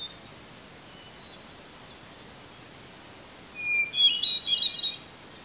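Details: Hermit thrush singing from a red pine in Eustis, Maine, at 8:12 PM just before sunset on July 18, 2020. After quiet, one clear whistled note opens a phrase, followed by a rapid cascade of higher, flute-like, ringing notes.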